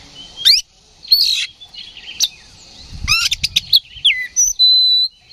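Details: Lure song of an oriental magpie-robin for triggering fighting: separated sweeping whistles and buzzy strokes, a quick cluster of rising notes, ending in a sustained steady whistle.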